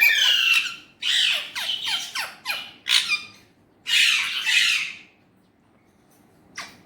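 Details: Indian ringneck parrot uttering Urdu/Hindi speech, a rapid string of about eight harsh clipped syllables, then two longer grating words, and a final short squawk after silence.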